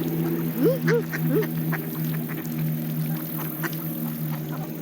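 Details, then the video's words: Canada geese feeding on seeds alongside mallard ducks: three short, arched, upslurred honks in quick succession near the start, then steady soft pecking clicks and a low constant hum. "5 minutes of Canada geese and mallard ducks feeding on seeds. Relaxing sounds of nature"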